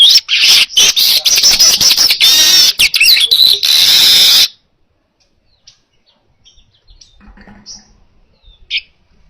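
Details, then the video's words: Baya weaver song used for training other birds: a dense, loud run of high buzzy, scratchy chatter with sizzling wheezes lasting about four seconds, then near silence with a few faint chips. "Masteran Suara Burung Manyar Gacor Jernih Cocok Untuk Masteran"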